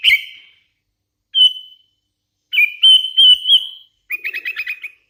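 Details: Sooty-headed bulbul, hand-raised and singing well: loud pure whistled notes held at one pitch, separated by silences, followed by a quick stuttering trill of short repeated notes.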